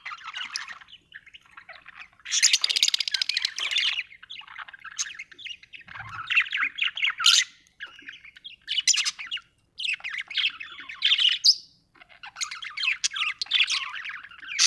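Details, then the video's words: Budgerigar chirping happily, an Australian bird: long runs of loud buzzy chatter and squeaks broken by short silences, with one low thump. "happy budgie chirping sound"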